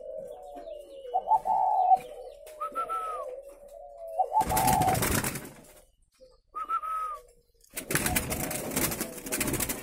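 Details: Spotted doves kept at a breeding farm in Ba Vi, near Hanoi, Vietnam, giving soft low coos in short phrases during the first four seconds, then loud rushing bursts of noise that mostly drown the birds.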